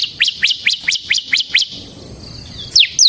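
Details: Bar-winged prinia, semi type, in song used to lure and tutor other birds: about eight evenly spaced high rising-falling notes, roughly four per second, then a pause and two sharp descending whistles.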